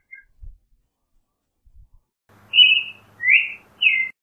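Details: Three drawn-out, slightly harsh slurred notes from a Creamy-bellied thrush follow faint early chirps. One note is level, one rises and one falls, over a low steady hum.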